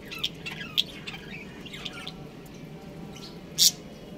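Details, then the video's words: Budgerigars, a caged breeding pair kept at home, give short sharp high chirps and squeaky tweets scattered over a few seconds, with a louder burst near the end over a low steady background hum. "Adorable Budgies Chirping Sounds"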